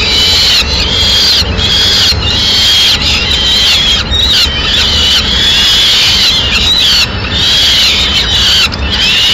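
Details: Female peregrine falcon arriving with a pigeon at a Madrid nest, 6 May 2016; fast, grating, wavering squeals strung in quick bursts, more than one per second, over background hiss.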